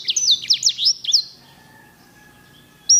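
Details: Sanger singer canary (edel/herda type), whose song has rich rolls, gives a fast string of high downward-slurred whistles for about a second, then a faint sustained tone and near silence before a sudden bright note.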